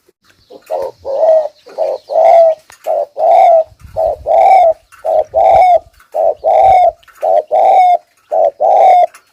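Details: Spotted dove used as a lure bird, giving 'thúc gù' urging coos: deep, hollow coo notes in short groups of two or three, about one per second, some ending in a slight rising glide. Faint low rustling in the background.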